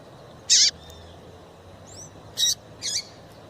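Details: Double-collared seedeater female calling to excite males: three short, high, buzzy chirps spread over a few seconds, with faint thin whistles between them and a steady low background hum.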